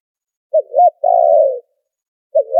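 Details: Spotted dove call used as a lure for trapping, noise-filtered: two short soft cooing notes, then a longer burred, rolling coo, with the next phrase starting after a pause. The background is otherwise silent.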